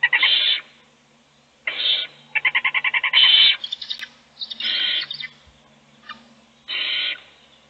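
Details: Owl feeding a chick in a nest box while the rest sleep. Rasping screeches mixed with a quick stuttering burst of short hissy notes and some higher thin chittering.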